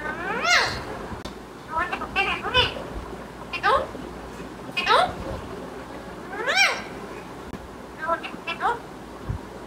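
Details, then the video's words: Pet male Alexandrine parakeet, a green talking bird kept at home, giving a series of rising and falling harmonic squawks and voice-like calls in bursts every second or two, with speech audible in a small room. "Parrot Talking VLog"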